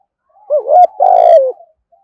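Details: Spotted dove cooing in the 'thổ' voice, 'gù thúc' style, played to lure wild doves. A brief wavering note, then a long buzzy mid-pitched coo that dips at its end, in quiet surroundings.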